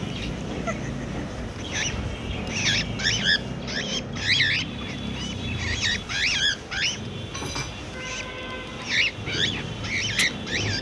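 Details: Cockatiel described as angry calls persistently, repeating shrill, twisting chirps in irregular bursts over about ten seconds against a constant low hum.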